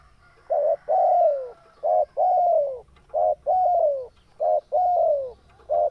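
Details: Spotted dove in breeding condition calling rapidly, short hoot and long falling coo repeated about every one and a quarter seconds, five phrases in a steady run, with a faint higher hum in the background.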